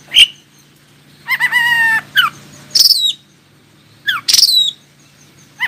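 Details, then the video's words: Song of an Oriental magpie-robin meant to make other magpie-robins reply and start singing: a sharp opening chirp, then a drawn-out harmonic rattle, quick falling whistles and loud high swoops, over a faint constant low hum. "KACER ANDA LANGSUNG IKUTAN NYAUT dan NGOBRA JIKA DENGAR SUARA KACER INI"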